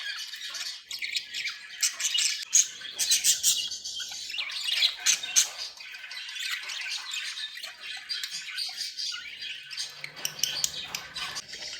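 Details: Happy, playful budgerigars chattering in a dense high scratchy warble, with squawky notes and short rising whistles running without pause.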